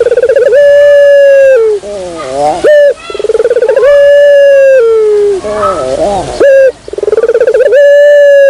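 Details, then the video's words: Lure call of a ringneck dove: loud, sustained, level hooting coos that droop at the end, separated by wavering, quavering passages, repeated over several seconds. "suara pikat burung puter"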